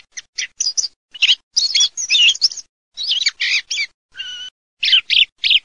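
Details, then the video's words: Varied song thrush song mixing scratchy high twitters with rich fluty notes and one level whistled note, delivered in short separated phrases against a quiet background. "Kελαηδημα Tσιχλας 4 /song turdus philomelos 4"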